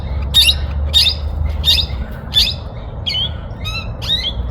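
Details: Young hooded parrots mating give a rapid series of harsh, squawky chirps, about one every half second, over a low background rumble.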